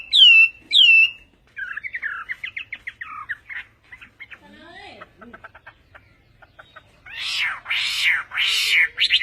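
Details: Chinese hwamei singing Vietnamese-style (Họa mi Tây): two loud, sharply falling whistles, then a quick stuttering series of notes and some lower warbles. It ends with three loud, harsh, rasping bursts.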